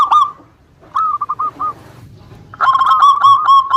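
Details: Local zebra dove song meant to provoke rival birds into answering: short bursts of soft, rapid, trilling coos at a low steady pitch, separated by pauses, the last phrase longer and louder.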